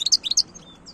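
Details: Wild European goldfinch, 2022: a short run of five or six sharp, high twittering notes, then a thin fading whistle, clear against quiet background.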